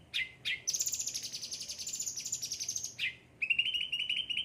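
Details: Cucak ranting of the yellow-headed ocean green type, a frequently pampered kept bird, singing: two short falling chirps, then a long fast run of high buzzy rattling notes, a brief slide, and a steady rapid chattering trill.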